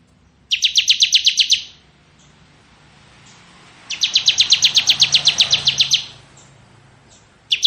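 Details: Ciblek kristal, the bar-winged prinia, in ngebren song: two long, fast buzzy trills of evenly spaced high notes, separated by a quiet gap, with the start of a third at the end.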